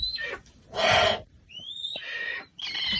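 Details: An American barn owl gives its strident, sharp call, known as frightening: rasping, hissing screeches in three harsh bursts about a second apart, with a thin rising whistle between them.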